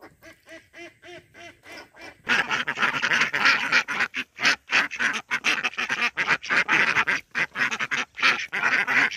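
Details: Rural backyard pond with Indian Runner ducks: a few evenly spaced, honking quacks open, then a dense, loud burst of harsh overlapping quacking from many ducks carries on to the end.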